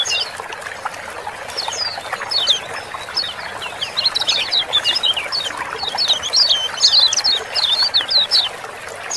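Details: Kecial kuning, the Lemon-bellied white-eye, calling ciak-ciak, a sound used to set reluctant birds singing. Scattered thin chirps for the first few seconds build into dense, rapid high twittering from about five seconds on.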